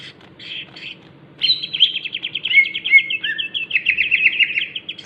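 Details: Greater green leafbird crewet song: quiet chattered bursts, then a long sustained run of fast repeated buzzy notes with a brief lower slurred note partway, continuing to the end above a soft steady hum.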